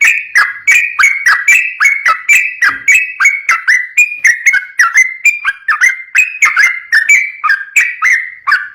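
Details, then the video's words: Sooty-headed bulbul in rapid ropel song, used as a lure to train untrained bulbuls; fast run of short, bright whistled notes, about three per second, each dropping and rising in a bouncy pattern, with no other sounds. "trucuk ropel gacor cocok buat pancingan burung trucukan bahan"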